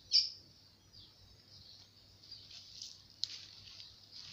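A double-collared seedeater sings a sustained, high, thin twittering trill, opening with a sharp note and holding steady with small rises and flourishes; a faint low hum underneath.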